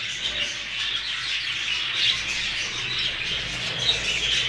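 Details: Hogoromo budgerigars, newly arrived and kept together, keep up a constant high, twittering chatter of overlapping chirps and warbles, punctuated by a few sharper squeaks near the middle and end.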